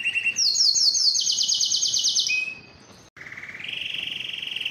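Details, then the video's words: High, fast pulsed trills from a yellow canary, stepping down in pitch, a brief break, then a lower steady rolling trill that rises slightly. "yellow canary singing"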